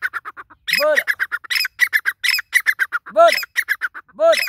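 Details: Grey francolin, locally called dakhni teetar, calls close by with rapid, harsh, rattling notes repeated many times per second. Lower arched squawks break in three times.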